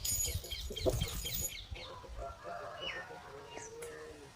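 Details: Hens and roosters at a chicken farm make noise: a rapid patter of soft clucks at the start, then scattered higher squawks and one short drawn note near the end.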